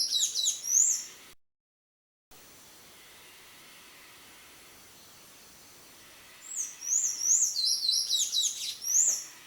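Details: Wild buff-necked ibis chicks in Brazil's Cerrado, begging for food, utter high, thin rising-and-falling whistled notes in bursts at the start and again near the end, separated by a quiet stretch with a brief dropout.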